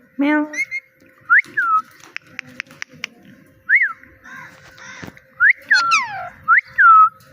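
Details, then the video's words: Talking parrot mimicking a cat's "meow" and saying "Mitthu": a low voiced syllable, several arched whistles rising and falling, a quick series of clicks, and a long sliding whistled note near the end. "Funny Parrot Talking – Mitthu Mitthu Moments!"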